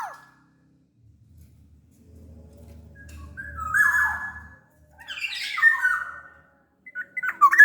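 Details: Black-naped oriole from Sumbawa, used to coax other orioles into singing: a whistled phrase, then a harsh nasal squawk series and a few sharp notes, with a faint low hum underneath.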